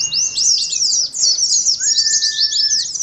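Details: High-pitched ngalas singing from caged Oriental white-eyes, a therapy track for colony birds: rapid looping twitters throughout, with a long steady lower whistle running beneath the second half.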